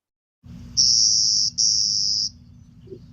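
Clay-colored Sparrow song: two flat, insect-like buzzes, each under a second, high and even, with a brief gap between. Low rumbling background hum.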